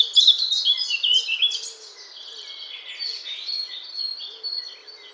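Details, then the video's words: Eurasian blackcap song; a fast, varied warbling phrase of high chattering notes, followed by a softer, thinner continuation and faint background birds. "Vogelgesang: Mönchsgrasmücke (Sylvia atricapilla)"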